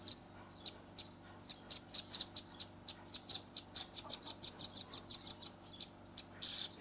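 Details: Young chestnut-bellied nuthatch in a rapid 'tembakan' shooting song, recorded on a phone. Sharp, high, separate notes start sparsely, then speed up into a fast, even, run of repeated piercing notes, ending in a short noisy burst.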